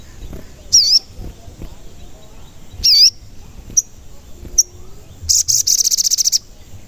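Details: Sogon, a frequently singing bird used as a lure to prompt others to sing and grow excited: two loud wavering whistles, two brief sharp ticks, then a rapid trill of very high chips at the end.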